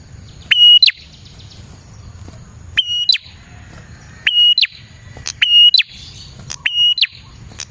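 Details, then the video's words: Lure recording of a prinia in full song: six sharp phrases spaced one to one and a half seconds apart, each a click, a bright sustained whistle and an abrupt upward flick, over a low murmur. "suara burung prenjak gacor"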